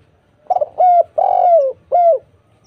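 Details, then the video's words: Spotted dove singing on a lure recording used to make silent doves respond. A stuttered opening coo leads into three mellow, low coos, the long middle one gently falling at its end. The background is quiet. "PANCINGAN TEKUKUR gacor suara merdu"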